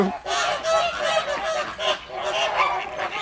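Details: Noisy captive flamingos at a wetland centre in Llanelli, Wales, August 2021: a dense chorus of many birds honking and grunting together, steady rhythmic nasal calls overlapping throughout.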